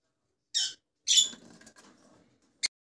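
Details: Rosella making two harsh chirps followed by soft rustling and a final sharp click-like note.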